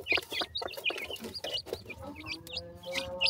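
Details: Young black francolins, playful chicks, calling in quick high squeaky chirps, several each second, some rising and bending, with a faint steady drone underneath.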